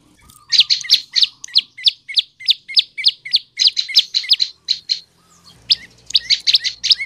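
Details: Gacor song of the prenjak lumut (olive-backed tailorbird), played as a lure for male and female birds. A long steady series of loud, high chirps, a brief lull, then another rapid burst.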